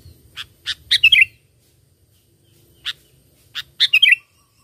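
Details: Sooty-headed bulbul song used as a lure for catching birds: short bright notes followed by a bubbly, warbled phrase, then the same pattern repeated after a pause of about two seconds. The background is quiet.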